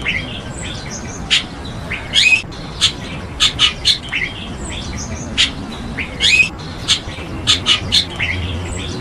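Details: Chestnut-tailed starlings (Sturnia malabarica), an exotic species in Taiwan, chatter in sharp, metallic clicks and short warbled squeaks, bursting irregularly every second or so over a soft background hiss.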